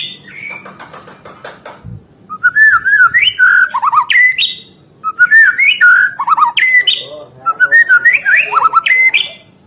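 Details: Vigorous song of a white-rumped shama, used to coax caged birds that have stopped singing: three rich phrases of fluty whistles, quick trills and sharp chips, each about two seconds long, after a brief quiet opening.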